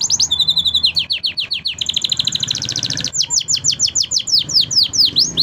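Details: Five singing canaries give a training song: a rolling trill and whistled phrases, then a long run of loud, evenly spaced downward-swooping notes, about three per second.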